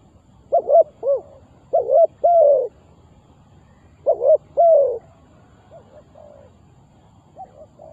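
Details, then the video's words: Spotted dove kept as a lure for trapping wild doves, cooing in rhythmic phrases: paired short rising notes ending in a longer falling coo, repeated twice, then soft fading notes. "Suara Terkukur Pikat Tua"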